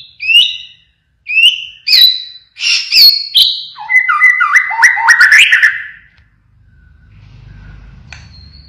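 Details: Caged white-rumped shama, a pied blorok variant, in full song: rising whistled notes, then a rapid series of sliding buzzy phrases like a siren, ending abruptly into quiet.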